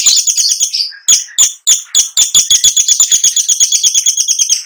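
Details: Long-tailed shrike singing a rich, nonstop rolling song packed with fill phrases: loud rapid chattering notes repeated many times a second, briefly broken by a few sharper chips before the fast rattle resumes.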